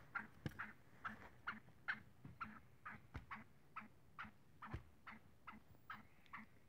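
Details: Frolicking black francolin utters a steady run of brief grating clucks, about two per second, for nearly seven seconds, with occasional sharp low clicks in the background.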